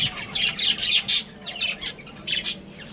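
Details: Chattering from a breeding pair of pet budgerigars: fast, scratchy, squawky bursts tumbling one after another, loud and high, with barely a pause between notes.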